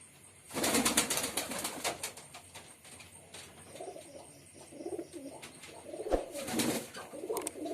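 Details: Male pigeon performing, giving low, soft murmured coos in a run of rounded phrases mid-recording, framed by loud broadband rustling or flapping bursts at the start and near the end, with a steady faint background hum.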